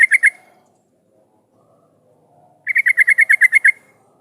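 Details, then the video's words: Yellow-vented bulbul singing briskly, used as a lure to get other bulbuls calling back. The tail of one chattering burst is followed after a pause by a run of about ten fast, evenly spaced sharp notes. "suara pancingan trucukan gacor jadikan burung trucukan nyaut dan bunyi"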